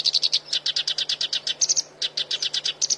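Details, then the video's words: Black-browed reed warbler song for tutoring songbirds: a steady run of dry, chattering high notes, about six per second, with a brief pause near the middle, over a faint low hum. "MASTERAN HANDAL BURUNG KERAKBASI ALIS HITAM"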